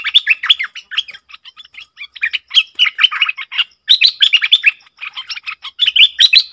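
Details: Bulbul, 20 March 2022, giving quick, jumbled chirps and warbled phrases in irregular bursts of about a second, with a faint regular ticking sound behind.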